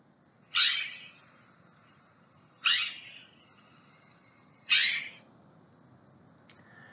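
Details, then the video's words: A California scrub jay gives three harsh, raspy, downward-sliding calls about two seconds apart, followed by a faint short note, over quiet background hiss. "the california scrub jay is a bird that sounds like this"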